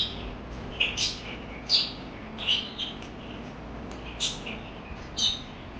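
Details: Chirping parakeets give quick squeaky notes and short twitters at irregular intervals, some louder and clipped, with quiet background hiss.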